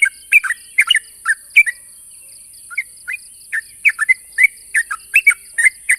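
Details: Sooty-headed bulbul challenging a rival with chirpy, slurred notes, a short lull near the middle, then renewed quick chirping, over a constant high hiss.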